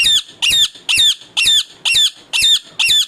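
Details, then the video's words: Angry pet parrot, described as giving only natural sounds rather than speech: seven loud, harsh, grating squawks in steady rhythm, roughly one every half second, indoors. "bolane wala tota"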